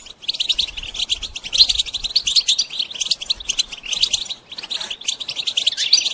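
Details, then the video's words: Goldfinch song played to stimulate and train songbirds, an unbroken, busy twittering of rapid high chirps with brief rising slurs, barely pausing throughout. "integrated stimulation suitable for all songbirds for goldfinches"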